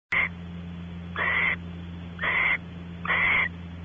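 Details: Barn owls in a nest cavity at Audubon Starr Ranch, California, the male exploring the cavity while the female expects mating; four harsh, breathy hissing bursts about a second apart over a steady low electrical hum.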